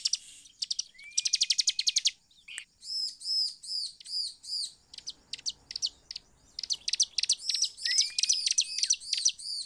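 Bar-winged Prinia singing rapid bursts of high, sharp chirps with arched notes and a few rising whistles, repeated energetically with short pauses between phrases.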